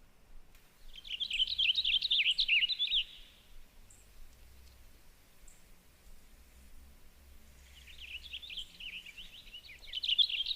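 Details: Male Cassin's Finch at Big Bear Lake in August, showing off with two bursts of quick, cheery, high warbling song, each about two to three seconds long, over faint background hiss.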